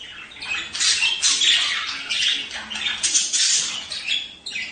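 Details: Budgerigar warbling meant to stimulate breeding: continuous scratchy, high chirrups and squawky notes that rise and fall in loudness across the whole stretch.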